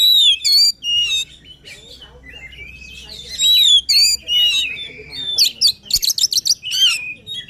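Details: Lively White-rumped shama song used to spur a silent bird: looping whistles and slurred notes, building to a fast series of sharp, repeated buzzy bursts.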